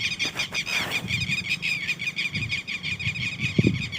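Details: Young red-wattled lapwings giving a steady stream of high, thin, wavering chirps, packed closely together, with low rumbling handling noise underneath and a brief knock near the end.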